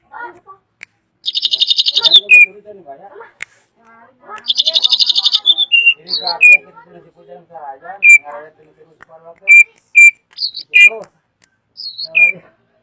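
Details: Loud, varied drongo song mixing two dense buzzy bursts with short sharp whistled notes scattered through the phrase, plus soft low chattering between them.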